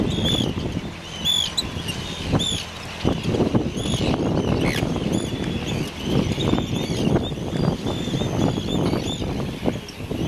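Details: On Inner Farne, Farne Islands, Northumberland, UK, 6 June 2013, Arctic terns give repeated harsh, rasping high cries in bursts, several birds at once, while strong wind roars throughout; captured on a Canon PowerShot SX30 IS.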